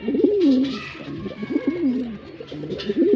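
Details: Male pigeon cooing: low, wavering, throaty coos that rise and fall in pitch, two full phrases and the start of a third, with faint background noise.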